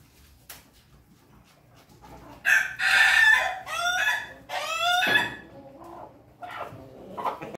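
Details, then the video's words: Pelung chickens, a group sunbathing, one rooster giving a long crow with drawn-out harmonic phrases rising and falling over about three seconds, followed by shorter crowing notes from other birds nearby in a quiet background. "komplotan ayam pelung berjemur"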